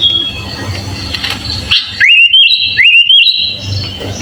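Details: Sooty-headed bulbul in full fill-in song, recorded as a master for training other birds: after a faint, noisy opening, two clear rising whistled phrases come about a second apart, each ending in a slurred flourish.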